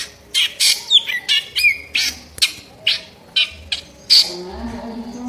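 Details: Drongo calling energetically with harsh notes as songbird training fill: loud squawking bursts with short whistled inflections, ending with a higher strident note over a low fluttering background.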